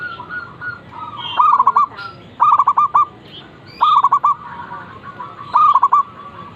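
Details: Zebra dove calling in the morning: four bright cooing phrases, each a long opening note followed by a quick run of short rolling notes, with fainter doves cooing in the background.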